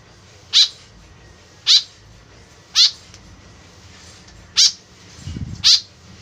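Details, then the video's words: White-breasted woodswallow calling actively, a sound used as a lure: five harsh, grating notes about a second apart, with a brief low thump between the last two. "BURUNG KEKEP BABI GACOR SUARA JADI PIKATAN . SUARA BURUNG KEKEP MENDEKAT"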